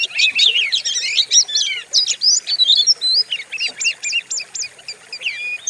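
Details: Oriental magpie-robin (kacer) lure song used to provoke other birds and described as fierce: a dense burst of bright whistled and chattering phrases, then a series of repeated sharp rising notes near the end.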